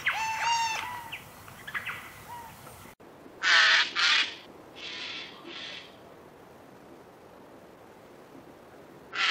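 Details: Eurasian jay, Wittlich valley, 2018: after some tonal bird notes, a pair of harsh, noisy screeches, two softer rasps, and another screech at the end.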